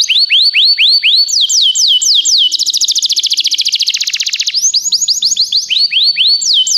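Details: Canary song used for training other canaries: loud, fast phrases of repeated upslurred whistles, then a rapid rattling trill of dense notes, then swooping whistled notes again.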